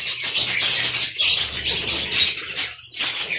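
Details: Aviary colony of budgerigars giving continuous overlapping chirps and warbling chatter, high and busy, with scattered rustling noises.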